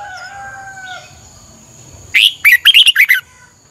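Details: Morning training song of a red-whiskered bulbul, used as a lure to fire up other birds: after a quiet start, one quick phrase of about six bright, slurred whistled notes.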